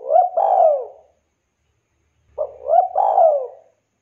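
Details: Two matching phrases from a spotted dove calling others: each a brief rising coo followed by a long, mellow, gradually falling coo, separated by over a second of quiet.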